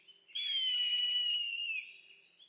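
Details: Wild Eastern buzzard in a Shinetsu highland, early May morning, giving a single strong whistled mew lasting about one and a half seconds, steady then easing downward at the end, with near silence around it.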